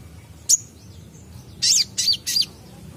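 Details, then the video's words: Purple-throated sunbird (kolibri ninja) gives one sharp high note followed by three short buzzy twittering bursts in quick succession, against quiet low background noise. "Konin bahan langsung respon bunyi dengar konin gacor ini"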